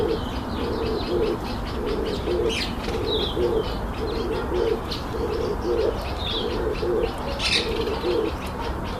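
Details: Red-eyed dove calling during display: low, soft coos in close pairs and groups, repeated nearly once a second throughout, over steady background hiss, with scattered higher chirps and whistles from other birds.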